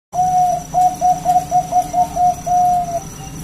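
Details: Bangkok-type zebra dove, a champion bird, singing a training song meant to make other doves reply: a long whistled coo, then a string of short, even coos, closing on a long steady note. The background is quiet.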